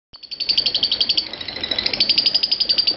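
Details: Lovebird performing ngekek, a non-stop song style; this bird kept it going for over five minutes. A high, rapid, unbroken chattering trill pulses about four times per second after a brief silent start.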